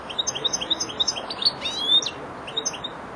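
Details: Four-month-old young European goldfinch (jilguero) beginning to finish its song phrases with remates. It gives quick high twittered chirps in a rapid series, then a louder buzzy slurred note and a few sharp tinkling notes, over a soft background hiss.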